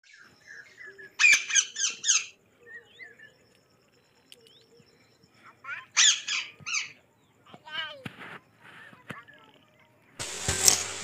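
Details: Parrot in the forest giving harsh, raspy squawks in quick bursts of three or four, separated by quieter gaps with a few shorter, thinner notes, ending in a loud noisy rush of sound.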